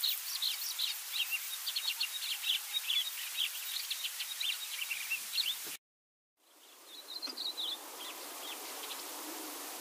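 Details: Yellow-bellied eremomela mimicking other species such as white-throated canary, pied starling and scaly-feathered finch; rapid clicking high notes in quick series, a brief silent break, then a few whistled notes against steady hiss.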